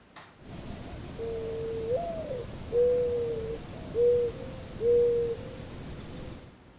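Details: A Mourning Dove coos softly and hollowly in the background of a suburban yard: a long rising coo, then three or four low steady notes. This dusk call is often mistaken for an owl.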